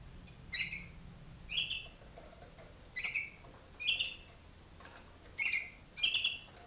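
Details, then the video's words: Waterslager canary song in a darkened training room in North Canton, Ohio, where 2011 young learn water tours from their elders: short bright bubbling chirps, each a quick cluster, spaced about a second apart with faint low hum between. "waterslager canary"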